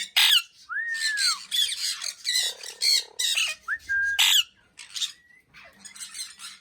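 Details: Talking Indian ringneck parakeet kept as a pet, mixing loud harsh speech-like squawks with arched and level whistles, delivered in quick irregular bursts over several seconds.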